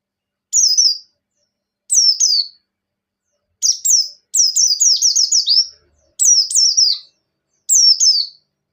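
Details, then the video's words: Buxtoni white-eye in breeding condition in ngecir song joined to ngalas style: paired high falling whistles at irregular intervals, building midway into a rapid run of about six descending notes. "Pleci Ngecir Sambung Ngalas Penggacor Pleci Bahan"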